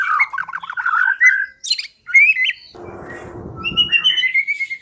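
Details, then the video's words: White-rumped shama song used as a singing lure: rapid bubbling trill, a sharp high note, whistled phrases, then a burst of rustling noise followed by long clear whistles. "Pikat Murai Batu Dengan PANCINGAN GACOR Ini Di Jamin Macet Langsung Bunyi"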